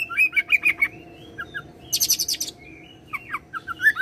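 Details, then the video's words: Song of an oriental magpie-robin mimicking cililin and serindit, with rapid chirpy notes, a dense high buzzy trill near the middle, then scattered whistled slurs, over a steady low hum. "KACER ROLL CILILIN SAMBUNG SERINDIT"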